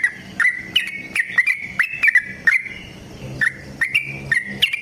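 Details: Yellow-vented bulbul in long, rapid fighting 'ropel' song, used as a lure to get other bulbuls singing: loud bubbly notes rising and falling around one pitch, bursts roughly every half second with brief pauses.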